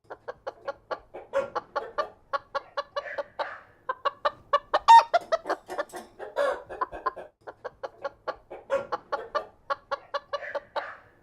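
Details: Many chickens inside a barn producing a steady stream of overlapping clucks, with brief louder squawks and drawn-out calls rising above the busy flock murmur.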